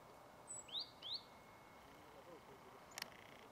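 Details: Eurasian treecreeper (Certhia familiaris) at Ljubljansko Barje, Ljubljana, 2 January 2023: a very high, thin note, then two quick rising sreee calls about a third of a second apart, over a faint steady hum and one sharp click.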